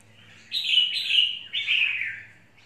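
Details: A caged red-whiskered bulbul, said to be fired up for a fight with another bird, gives three quick, liquid, warbled phrases slurring up and down over about two seconds, with a faint low hum underneath.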